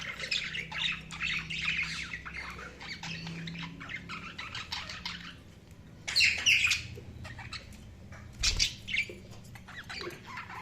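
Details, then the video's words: Budgerigars chattering steadily: dense, scratchy warbled chirps and short squawks run on without pause, louder bursts of harsh chatter breaking in twice, with a faint low hum underneath. "Budgies Sounds| Budgies Chirping sound"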